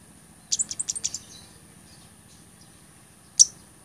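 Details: Blood-breasted flowerpecker song, used for training other songbirds and luring birds: a quick run of about seven sharp, very high ticking notes, then one lone piercing tick after a pause, over a steady faint high whine.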